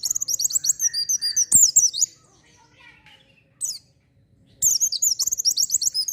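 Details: Oriental white-eye singing hard, used as a lure for untrained birds: long streams of rapid, high, chattering twitters, broken by a quiet spell and one brief phrase before the song resumes.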